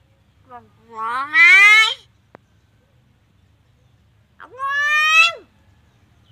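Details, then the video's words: A talking myna gives two drawn-out, nasal, voice-like utterances about three seconds apart, each rising and rich in tone, sounding almost like a meow or a spoken word. "សារិកានិយាយ Talking Myna birds"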